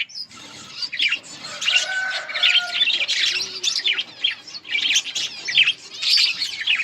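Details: Budgerigars in a breeding colony, many birds chattering at once: dense, overlapping high chirps, warbles and squeaky notes fill the whole stretch without pause, with a few longer whistled tones mixed in.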